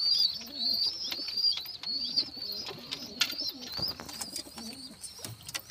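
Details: Pigeons cooing in low, rolling phrases that repeat roughly every second, with a steady band of thin, high chirping running above them throughout.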